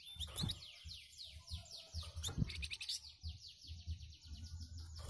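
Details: A flamboyan bird answering the songs of other birds with its distinctive song, described as dense and rough. Rapid series of high, thin descending whistled sweeps repeat quickly, broken by a few sharp knocks, over low background rumble.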